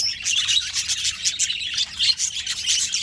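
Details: Budgerigars chirping and chattering in a continuous dense stream of short, high, scratchy notes with a few squawks, several birds calling at once with no pauses.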